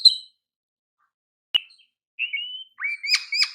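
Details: Oriental magpie-robin, called kacer, in master song for training: a short whistle, a sharp click after a pause, a thin rising whistle, then quieter repeated chattering notes at the end.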